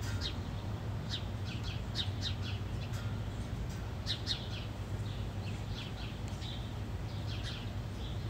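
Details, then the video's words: During a house sparrow fight, rapid runs of clipped, high chirps come in irregular groups of two to four, over a continuous low hum. "The Epic House Sparrows Fight"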